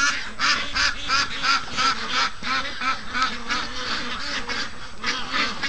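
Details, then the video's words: Domestic ducks, about 55 days old, calling impatiently in the morning after being kept waiting an hour to be let out; loud, rapid, overlapping nasal quacks from many birds at once, repeated nearly three times a second. "Morning Rush I Slept In & The Ducks Were Not Amused With This At All"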